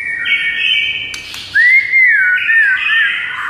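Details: White-rumped shama singing so another shama replies within seconds: a long steady whistle, a sharp click, then a sweet rising-and-falling slurred whistle ending in wavering notes.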